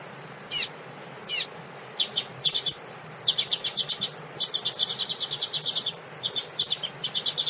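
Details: A female double-collared seedeater calls to excite males. Two high, sharp down-slurred chips come first, then long series of rapid, high ticking notes and short buzzy rattles, about seventy-seven a minute, with brief pauses.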